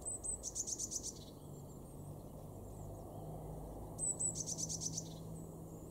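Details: A Eurasian blue tit in a garden in Weener, East Frisia, northwest Germany, in February 2023, gives two high, thin 'tsee-tsee' notes then a quick buzzy trill, repeated about four seconds apart, over low rumbling background noise.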